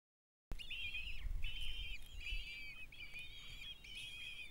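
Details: Kestrel chicks fed by their mother after the male brought home food, giving repeated wavering, whining calls in short bursts of about half a second, several voices overlapping, over low rumbling background noise.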